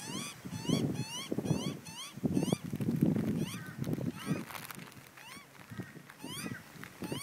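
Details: Young Australian magpie pleading with its parents for snacks while a crow lurks: a rapid, uneven run of harsh, nasal rising squeals, some doubled, continuing for several seconds against low rumbling wind noise.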